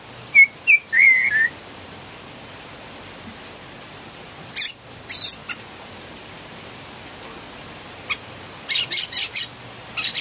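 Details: Noisy Philippine bulbul, or pulanga, giving a few whistled notes, then scattered sharp chirps and a short cluster of harsh bursts near the end, separated by long quiet gaps.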